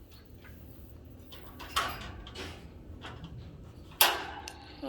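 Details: Low steady rumble with two sharp knocks like a door or drawer and faint indistinct voices; no bird calls stand out.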